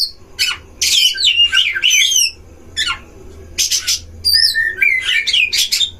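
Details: Oriental magpie-robin at a breeding enclosure, singing as a provoking lure for other magpie-robins: scratchy noisy bursts alternate with clear looping whistles and high thin notes, in uneven clusters.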